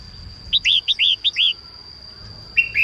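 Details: Female red-whiskered bulbul singing in the morning to stimulate males: a quick series of six bright, rising-falling whistled notes, then a pause and two more slurred phrases; a steady high electronic tone runs throughout.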